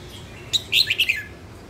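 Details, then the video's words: Female red-whiskered bulbul, a kept bird, singing: a brief burst of bright, high chirped and whistled notes lasting under a second, loud and clear over a quiet background. "Chào mào hót | luyen giọng chao mào | Chào mào mái"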